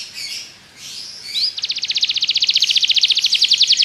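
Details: Belgian canary singing to coax other canaries, soft warbling at first, then a rapid, very regular trill of short repeated notes building in loudness.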